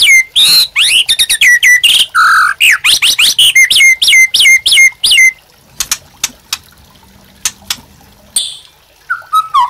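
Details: White-rumped shama master song used to train caged birds: a fast, loud stream of varied whistles, slurred notes and chips, followed by quieter clicks and a few soft falling whistles.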